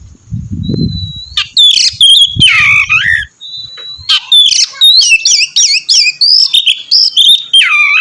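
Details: Oriental magpie-robin in full song: a thin steady whistle leads into loud scratchy notes and a sliding whistle, then a rapid series of repeated sharp chirps and whistles; low thumping noise early on.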